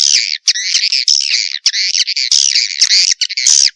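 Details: Nest-house lure sound for swiftlets, a continuous high twittering of buzzy, warbling chirps with only brief gaps between bursts.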